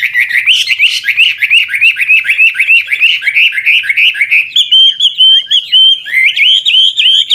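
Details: Old wild Chinese hwamei singing with continually shifting phrases, aimed at getting young birds to sing; long rapid series of repeated looping whistles, then a higher, clearer steady-pitched run.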